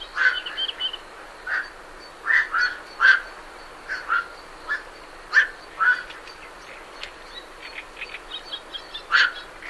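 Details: Night herons calling while leaving their roost: a busy run of short, rough croaks overlapping one another, mixed with chattering great reed warbler song in the background.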